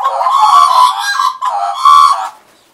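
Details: Tame Australian magpies perched on a person in 2015 give a loud, full-throated carol. Harsh, richly layered yodelling phrases are broken by a short dip and fade at the end.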